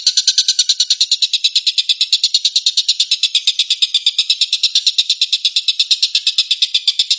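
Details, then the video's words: Collared kingfisher singing in the 'tembakan' style known as tengkek buto song: a continuous rattling series of harsh, buzzy notes, around eight per second, even in loudness throughout. "kicau tembakan burung tengkek buto"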